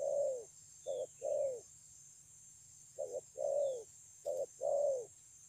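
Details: Spotted dove song, dated 9/6/2020: repeated phrases of a short clipped coo followed by a longer, softly falling coo, three phrases in under six seconds over a quiet low hum.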